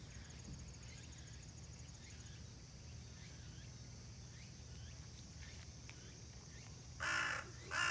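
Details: Crow calling beside two dark-faced young raccoon dogs resting outdoors; after several seconds of low steady background hum, two loud harsh caws come close together at the very end.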